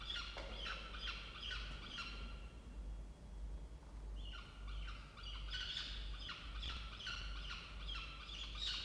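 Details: A Peregrine falcon at a water-tower nest box in Orange, New South Wales, with chicks hatched 4–5 October, gives harsh, grating squawks at 07:21 on 16 October 2024, pausing briefly midway, over a low rumble.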